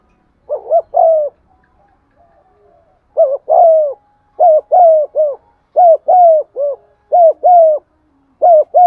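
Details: Spotted dove kept as a lure bird giving its urging coo in a fixed style: a rapid sequence of about six paired coos, each short note followed by a longer one, nearly continuous.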